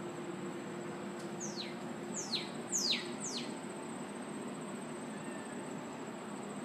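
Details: Northern cardinal singing: four clear down-slurred whistles in quick succession, each sweeping from high to lower pitch, over steady background hiss and a constant high insect-like whine.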